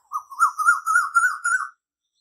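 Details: Koyal, the Asian koel, gives a quick run of about eight clear, wavering whistled notes that edge gradually higher, lasting under two seconds against a silent background.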